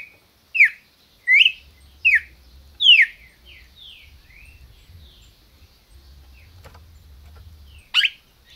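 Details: Captive red-crested cardinal kept by a registered Brazilian breeder, calling and singing: four loud, clear whistled notes, each sweeping through a short rise and fall over about three seconds, then softer slurred whistles and one final sharp note after a quiet pause.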